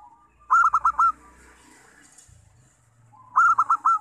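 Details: Local zebra dove singing, used as a lure to prompt other doves to sing: two loud bursts of four quick stuttering coo notes about three seconds apart, with soft low cooing between them.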